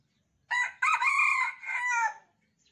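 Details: Red Junglefowl of Sumatran stock, reared in captivity from a day-old chick and kept in a cage, delivers one strong crow answering its cage-mates: a brief clipped opening note, then a long harmonic, slightly falling drawn-out note ending abruptly.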